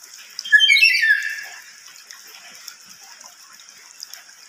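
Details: A lory gives one loud, shrill, harsh screech lasting about a second, falling in pitch, over a steady background hiss; such loud calls are typically given when the bird is uncomfortable, e.g. angry or hungry.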